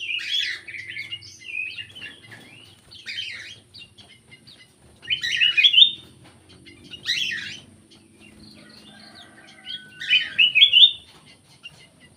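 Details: Repeated lure call phrases of a black-crested bulbul, bursts of bubbly, rising whistled notes roughly every two to three seconds, with quiet gaps and a faint low hum between them.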